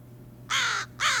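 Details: American crow calling, one of up to 20 call types the species makes with differing pitches and qualities: two harsh, broadband caws about half a second apart, the first longer and slightly falling, against quiet background hum.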